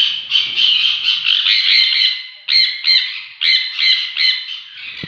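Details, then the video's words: Sun conure pair, parrots: loud harsh screeching squawks in a rapid run of bursts, a steady stretch followed by separate sharp cries from about two and a half seconds, with little background noise. "sun conure parrot 🦜 talking"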